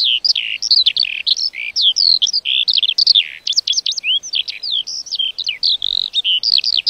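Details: Lark in full song: a long, breathless outpouring of high chirps, slurred whistles and rapid trills, varied and nearly continuous, with no other sounds.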